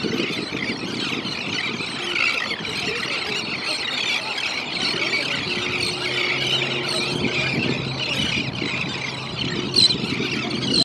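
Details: Thousands of elegant terns in several flocks over Elkhorn Slough, California, at night, plunging and skimming for anchovies, make a dense, unbroken din of harsh, grating, high calls over a low steady hum.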